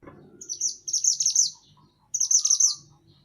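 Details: {'_': 'Mantenan gunung songbird singing for a songbird-training master recording: two loud, high, rapid chattering phrases of sharp twittered notes, each about a second long, with a short pause between.'}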